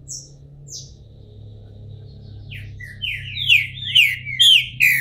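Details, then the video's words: Moulting, bald-headed green-winged saltator kept by a Brazilian breeder: a few faint high thin notes and a soft low room hum, then a burst of loud, rich whistles slurring down, grouped in quick pairs. "Trinca ferro careca, saindo de muda!!"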